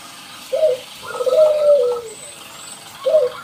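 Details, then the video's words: Zebra dove song meant to set other doves singing, heard against background hiss: a short note, then a drawn-out falling coo with a faint higher overtone, and another short note after a pause. "Sekali Dengar ATASI PERKUTUT MALAS BUNYI - MANJUR Hitungan Detik Perkutut lokal gacor"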